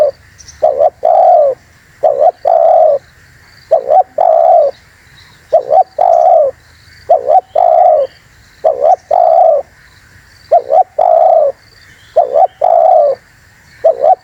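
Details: Spotted dove (terkukur) cooing as a bird-luring call: a long steady series of about eight phrases, each a quick two-part coo then a longer drawn coo, set against a constant high hum.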